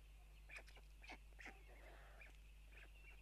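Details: White stork nest in Tukums, Latvia, on June 12, 2022 at 04:54, during feeding after both parents arrive; several sharp clattering bursts mix with soft, wavering mewing calls and a steady low hum.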